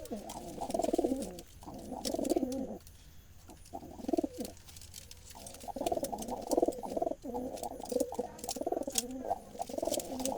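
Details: Several wild Jalali rock pigeons kept in a basket call to each other, sold as pairs and said to feed in the fields; low, throaty rolling coos in repeated bursts, with clicks and rustling throughout.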